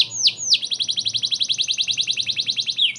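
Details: Canary in full song as a training model for White-rumped Shamas: two falling whistles open a long, rapid series of identical sharp chirps, about seven per second, closing with another swoop.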